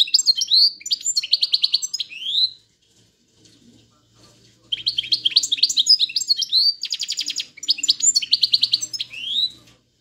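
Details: European goldfinch in drunk-style song: bursts of rapid high twittering, buzzy rattles and rising whistles, broken by a pause filled with a faint low hum, then another long twittering burst.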